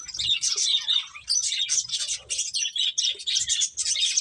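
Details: A busy stream of bright, high finch tweets from birds eating, notes packed tightly and repeated several times a second with almost no gaps.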